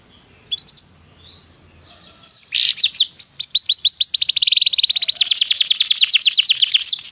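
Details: {'caption': 'Canary singing, intended to prompt a silent canary: scattered soft whistles at first, then a loud burst of rapid downward sweeps merging into a long fast rolling trill.'}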